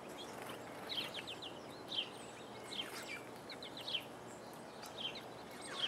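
Purple finch giving short, sharp chirping notes about once a second, with several softer twitters between, over a steady background hiss.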